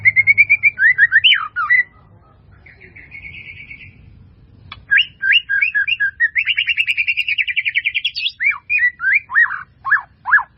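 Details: White-rumped shama singing a melodious master song packed with varied fill-in phrases: clear whistled notes and fast rising-falling slurs, a brief quiet gap, then a long rapid trill and sharp descending whistles.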